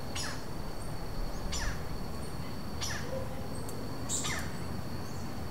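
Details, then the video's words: Sparse interaction calls between a wild Robust Woodpecker pair, Vargem Grande Paulista, Brazil, April 2023, recorded on a Zoom H4n without playback: four sharp, high, scratchy notes spaced about a second or more apart over a steady thin hiss. "Robust Woodpecker calls and interaction calls"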